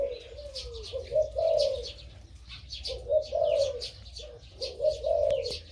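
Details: Big-voiced crossbred dove close to a year old, loud in daytime, giving its 2-3 kuk song: deep rolling coos repeated in three phrases about every two seconds, light twittering behind.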